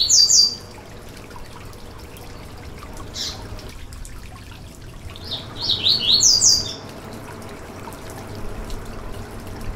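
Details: Caged-bird stimulation song of a yellow-bellied seedeater: two short bursts of fast, high twittering notes several seconds apart, one faint chip between them, and a gentle hiss throughout.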